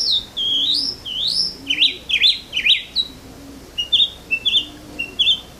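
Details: Bird song heard on waking in the morning: sweeping whistled slurs up and down, then burry overlapping notes and a series of short clipped chirps.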